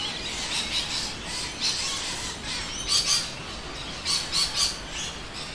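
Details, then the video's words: Rainbow lorikeets, many together in suburban Adelaide, South Australia, at midday in winter, give harsh, screechy squawks and short shrill notes in irregular bursts, with noisy miners and a steady background hiss. "Rainbow Lorikeets Singing"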